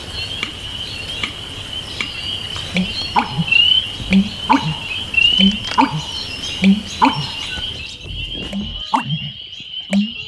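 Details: Male American Bittern (Botaurus lentiginosus) in a marsh giving its breeding-season 'pumper-lunk' song: deep, hollow gulping pumps about every second, low and resonant, with a steady high insect or frog trill and scattered small bird notes.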